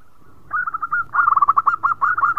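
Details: Local zebra dove in full, sweet-voiced song, used to set other birds singing: a faint drawn-out hum, then rapid bursts of clipped, bubbling coo notes run together in a fast rolling series at a steady mid pitch.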